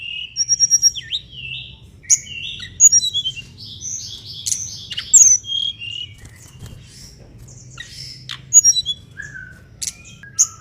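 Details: Mangrove blue flycatcher song recorded for tutoring songbirds: bright, high-pitched whistled notes, quick slurred phrases and short rapid trills delivered in scattered bursts, clean with only a soft low hum behind.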